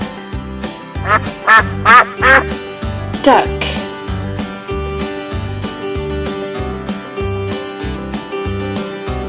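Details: Domestic farm duck quacking in a series of loud, nasal, harmonic quacks during the first few seconds, over a steady backing of children's music with a regular beat throughout.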